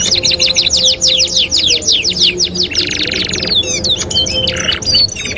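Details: Master canary song for training other canaries, 2-in-1 style: a quick series of rising chip notes, about three per second, then a harsh buzzy roll and a mix of twittering trills.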